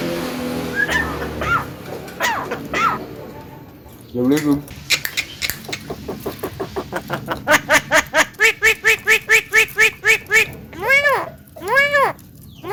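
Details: Javan myna (jalak kebo) kept at home that can cough, laugh and call girls: a few scattered notes, then a long steady train of rapid harmonic pulses like laughter, ending in two strong arched calls.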